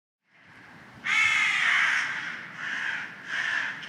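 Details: Crows calling loudly in the early morning outdoors: one long, harsh, drawn-out caw followed by two shorter rasping caws.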